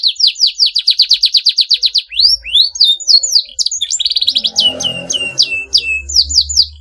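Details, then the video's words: Canary singing a long song meant to make rivals join in: a rapid run of sweeping notes, then varied whistled slurs and a fast rattle, with faint low background rumble. "KENARI GACOR PANJANG, TERBUKTI BIKIN LAWAN LATAH IKUT BUNYI GACOR NYERANG FIGHTER"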